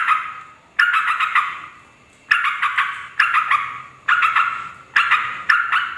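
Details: Yellow-vented bulbul chattering, used to call wild bulbuls of both sexes: loud bubbling phrases in separate bursts with short pauses, each phrase fading out.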